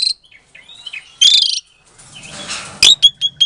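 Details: Lure song of a captive-bred Asian pied starling from Klaten, Indonesia, used to prompt quiet starlings to answer: scattered slurred whistles, a grating buzzy phrase, a soft hiss, then four short bright chips.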